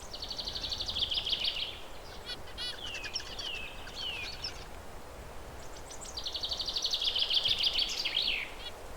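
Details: Perched zebra finches, described as curious, alert birds that communicate in beeps and chirps, give bursts of nasal, buzzy, harmonic calls in rapid series, with a few downward-sliding notes in the middle and steady background noise.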